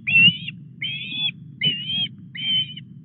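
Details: Osprey at the Llyn Clywedog nest, Wales, on 4 August as a fish arrives. Four even, level whistles, each about half a second long and spaced under a second apart, over faint low wind.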